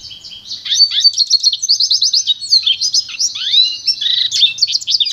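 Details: Continuous lively song of a pintagol hybrid of goldfinch and canary: dense, quick twittering with rapid repeated notes, buzzy trills and sweeping whistles, barely pausing throughout.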